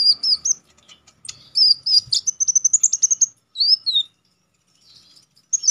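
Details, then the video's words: A konin (Olive-backed Sunbird) singing for contest training gives piercing, wavering whistles, then a rapid trill of high repeated notes. A looping whistled slur follows before a pause and a final short phrase. "Konin damer gacor ngalas nembak tajam"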